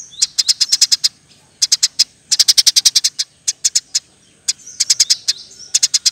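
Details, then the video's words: Eurasian tree sparrow delivering 'ngeroll, nembak rapet' song used as masteran material: clusters of three to nine bright, clipped chirps with short silences and faint sweeping whistles between them. "Burung gereja gacor nembak rapet full alasan"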